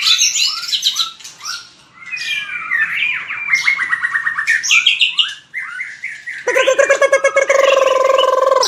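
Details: White-rumped shama fighting song used to train birds: a quick varied series of whistles, slurs and rapid chips, ending with a loud nasal pulsing buzz lasting about two seconds.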